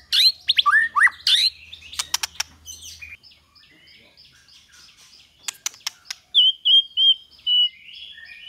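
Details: White-rumped shama singing in a recording of 'kéo thuốc lào' and 'hót giọng dây' styles: a burst of varied swooping whistles and clicks, a quieter pause, then a series of repeated chirped notes.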